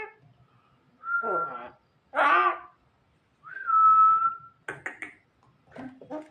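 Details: Javan myna, known for copying people coughing, giving steady level whistled notes mixed with harsh raspy bursts and short clicking, throaty sounds in a small indoor space.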